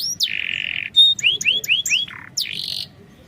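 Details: Canary song from a lure recording intended to make a reluctant bird respond: a flat buzzy note, a brief pure whistle, four arched slurred notes in quick succession, then another buzz.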